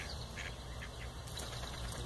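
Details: A cranky pair of mallards in South Carolina being given birdseed by people: a few short, raspy, nasal quacks, the first near the start and another about a second later, over a steady low rumble of background noise.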